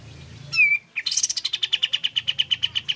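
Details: Pied fantail in lively song, played to coax other pied fantails to sing: a loud downslurred squeak, a brief gap, then quick repeated high pulses, about seven per second, gently falling in pitch.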